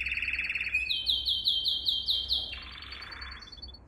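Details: Canary singing as a training song for young birds: a fast rolled trill opens, then a string of loud rising chirped notes, followed by a softer buzzy roll and a high fading whistle.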